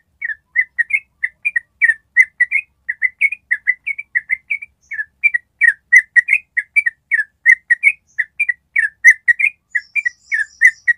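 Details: Yellow-vented bulbul giving a long ropel trill, used as a master recording for training other birds to follow the trill: rapid, steady run of short whistled two-part notes, sweet and chirpy, continuing without pause for eleven seconds.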